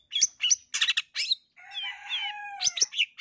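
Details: Full, rich song of a long-tailed shrike of the East Java blangkon type: harsh grating bursts, then a smooth sustained warbled phrase with overlapping tones, followed by more scratchy rapid notes.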